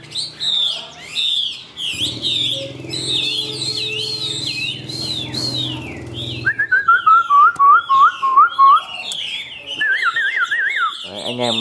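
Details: Caged Chinese hwamei, a yellow-legged, yellow-plumaged bird kept for song, delivering a rich, varied run of loud slurred whistles and rapid warbles, then a repeated falling-rising phrase about eight times and further bright fluttering notes; faint human voices underneath.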